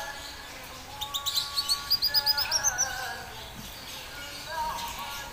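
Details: Red siskin singing a quick series of about a dozen high, clipped, slightly rising notes repeated steadily, with faint low steady tones running beneath.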